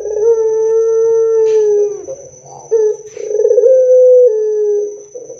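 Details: Lure song of a loud, energetic Barbary dove, meant to get other doves calling back. Long, low, even coos swell and ease downward, broken by brief throaty rolling notes. A thin continuous high whine accompanies them.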